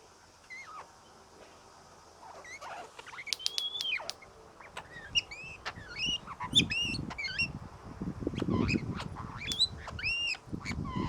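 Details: Visiting male king parrot, dancing and chatting happily: after a quiet start, bursts of short arched chattering notes and sharp clicks, in quick groups, with low knocks of pecking underneath.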